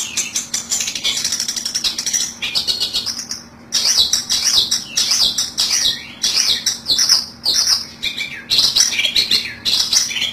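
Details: Long-tailed shrike call played as a trapping lure in Indonesia: harsh, scratchy high chatter in fast, broken bursts with brief pauses between them.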